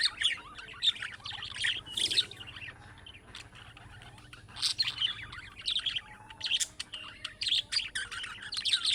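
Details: Budgerigars giving chick-like calling sounds that set off answers from other budgerigars: clusters of sharp high chirps and warbling trills, a softer stretch mid-way, then renewed lively chatter.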